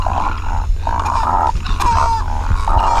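Great Egret giving harsh, grating croaks, four or five in quick succession, each under a second, over a steady low rumble.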